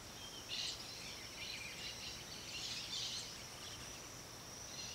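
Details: Peach-fronted parakeet (Eupsittula aurea) giving harsh, scratchy screeches in short bursts roughly every second, over a steady high insect drone.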